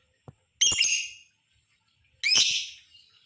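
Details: Lovebird long chatter played to stimulate other lovebirds to call: two loud, harsh, buzzy screeching bursts roughly a second and a half apart, each fading over half a second, with a faint click before them.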